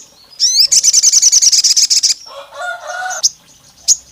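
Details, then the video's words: Olive-backed tailorbird whose call is said to resemble a female calling the male and to provoke rival males: a rising sweep, then a steady fast shrill trill of about eighteen notes, followed by a lower warbled phrase and two chips. "SOGON GACOR MIRIP SUARA BETINA MEMANGGIL JANTAN LAWAN LANGSUNG EMOSI NGAMUK NEMBAK PANJANG"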